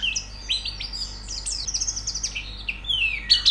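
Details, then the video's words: Brief, quick run of high, squeaky white-eye twitters used in pleci singing therapy, ending in a louder, sharper note. "Terapi Pleci Cepat Gacor Buka Paruh"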